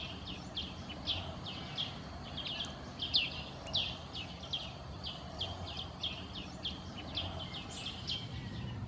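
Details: Greater green leafbird at a forest edge bordering Kaeng Krachan National Park, Phetchaburi, Thailand, on 23 September 2012, giving a quick, steady run of short, high chipping notes, several each second, over a constant low rumble.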